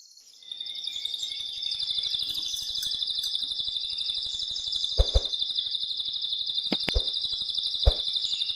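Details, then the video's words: Male canary singing loudly in an excited state to stimulate a female to mate, a continuous fast trill held around a steady high band, with sharp clicking knocks and low ticking noise underneath. "تغريد قوي جدا كناري هائج لتسميع الفراخ | canary singing"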